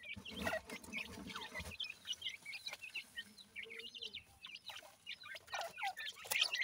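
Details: Francolin (teetar) chicks calling: quick, high, sharp chirps repeated in irregular bursts throughout, with some low murmuring noise near the start.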